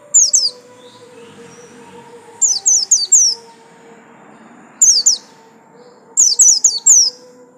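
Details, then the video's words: White-eye, a kept songbird, giving short clusters of three to five high, thin, downslurred notes, separated by pauses of about two seconds, over a faint steady low hum. "pleci buxtomi"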